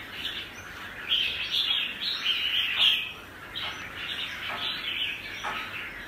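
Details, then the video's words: Apricot-coloured ('mơ') red-whiskered bulbul giving its double-voice song: a steady run of high, chattering warbles, loudest in the middle, then softer trailing phrases with faint low sweeps. "Con Chào Mào MƠ cực đẹp, HÓT giọng KÉP Cực đã"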